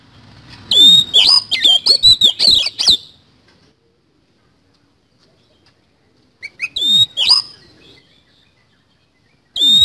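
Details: Lively kacer (Oriental magpie-robin) song in the 'isian kasan' style: a fast run of scratchy notes and high whistles for two seconds, long silence, a shorter whistled burst, then another note begins at the end.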